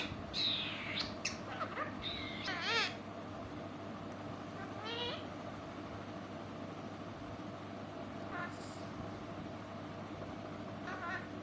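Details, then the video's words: Pet parrot said to talk in a sweet voice, making a run of harsh, wavering squawks early on, then a lone rising call and scattered quieter sounds against a constant hum. "Mithu talking sweet voice"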